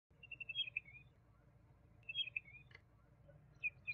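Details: Juvenile common babbler (Argya caudata), a bird of dry open scrub country in India: a quick run of high, even notes ending in a short downslurred phrase, repeated after a pause, with a sharp click between.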